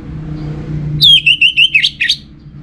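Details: Orange-headed thrush, kept as a caged songbird in northern Bali, sings a short burst of whistled, slurred notes around a steady pitch, pulsing in quick succession for about a second over low background hum.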